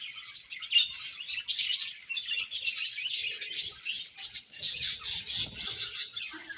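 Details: Budgie colony chattering nonstop, a busy layered mix of bright high chirps, buzzy warbles and rapid squeaks, swelling at times; faint low rustling in the background.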